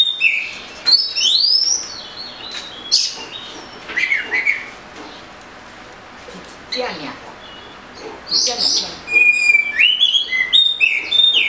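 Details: Oriental magpie-robin song: loud whistled slurs and harsh chirps in bursts, a quieter pause, then fast varied whistled notes.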